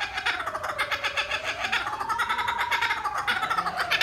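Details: Captive breeding pair of laughing kookaburras on display giving their territorial call, a rapid, harsh chuckling laugh of quick repeated notes, with a steady wavering tone like soft music underneath.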